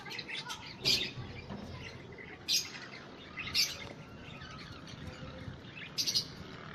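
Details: Budgerigar calling with brief, sharp, high chirps roughly every one to one and a half seconds, some doubled, against a constant low background noise.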